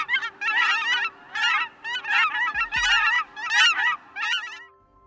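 Cackling goose: a flock's high, yelping cackles in rapid bursts, several overlapping notes each half second, much higher and squeakier than a Canada goose's honk.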